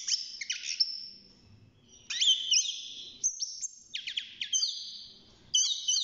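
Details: Caged six-month-old European goldfinch beginning its song: separated bursts of bright twittering, sharp chips and slurred whistles, with quiet gaps between phrases.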